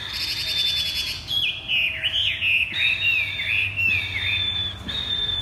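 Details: Chinese hwamei in a cage placed on the ground sings thắt cổ chai style: one long steady high whistle, then looping, wavering whistled phrases dipping and rising, ending on another held whistle, with a faint low hum beneath.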